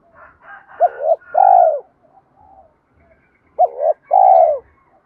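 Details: Spotted dove giving its provoking coo meant to spur a rival to fight: two phrases, each a clipped double note and a longer mellow low note, with soft chirps from other birds heard faintly in the gaps.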